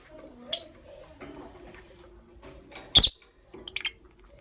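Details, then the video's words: In the morning, pet lovebirds, a green Fischeri and a pastel blue, give a short shrill chirp, then a loud grating screech, then a rapid flurry of small high chirps, with faint room noise underneath. "Lovebird Chirping Sounds"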